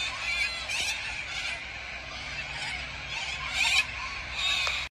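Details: Wild corellas massed in large numbers at Tocumwal beside the Murray, Australia, keep up a steady racket of hoarse, rasping screeches, with several sharper, louder outbursts standing out from the crowd noise.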